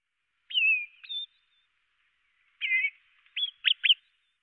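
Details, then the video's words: Great tit calls: a buzzy, wavering note with a short high chirp, then after a pause a trilled buzzy note followed by three quick hooked chirps, with no other sounds. "Kohlmeise (1) - Rufe"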